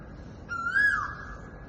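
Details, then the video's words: At Mount Sophia Road, a noisy koel gives one clear whistled note, rising and then dropping away, about half a second long, over a steady low hum. "Noisy Koel Bird"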